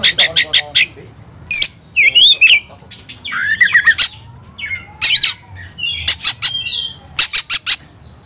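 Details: Oriental magpie-robin (kacer) provoked to fight, singing loudly: harsh rasping bursts in quick trains alternate with sweet whistled phrases and scratchy chatter, short pauses between outbursts; a steady faint high electronic tone runs throughout.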